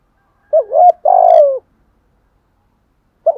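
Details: A spotted dove kept as a decoy coos in the morning to draw wild doves: a two-part wavering coo, a longer purring coo dropping at its end, silence, then a brief soft note.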